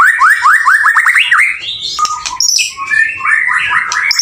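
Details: Male white-rumped shama in energetic song, opening with a quick series of rising whistled notes repeated several times a second, followed by high sweeps and a second rapid rising run.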